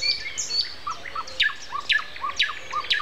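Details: Common nightingale in a morning chorus on April 29 at 7:55, singing early this year from mid-April; sharp high whistled strokes alternate with lower looping slurred notes, repeated roughly every half second, other birds faintly behind.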